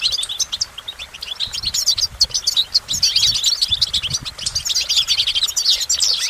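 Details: Goldfinch song: a continuous, intense flow of bright, high chirps and rippling trills, growing busier toward the end, over faint low thumps.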